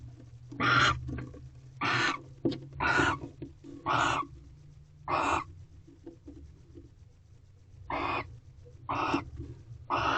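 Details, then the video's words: Barn owls at a corral owl box on the second mating night, 18 February 2023, evening: rough hissing screeches in an irregular series, some clipped and shorter, with a pause midway and soft rustling. "Barn Owl Mating Second Night Part 8"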